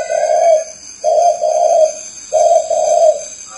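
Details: Spotted dove giving low, mellow coos in three close phrases of drawn-out notes, over a constant high-pitched hum.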